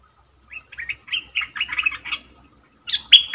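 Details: Red-whiskered bulbul kept as a caged decoy. It gives a jumbled series of softer warbled chirps, a short pause, then a loud, sharp, high whistled burst at the end.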